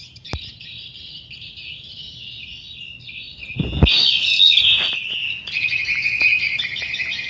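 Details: At a swiftlet house, swiftlets give steady high chirring twitters that swell sharply louder midway after a thump, becoming a busier, brighter chatter of rapid chirps.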